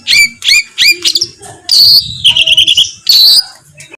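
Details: Competition-bird master recording of a songbird with coarse fills: bright whistled upslurs, a long buzzy note, and a rippling rattle, all strung together quickly.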